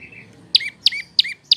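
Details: Prinia, called prenjak lumut or lancur, recorded as a master song for cage birds: four loud, clipped chirps, each a high note dropping to a lower tail, spaced about a third of a second apart over soft noise.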